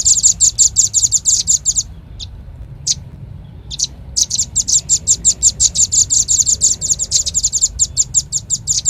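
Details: Velvet-fronted nuthatch lure call: rapid high piercing chips, then a pause broken by a few isolated notes, then the fast chipping series resumes and continues steadily.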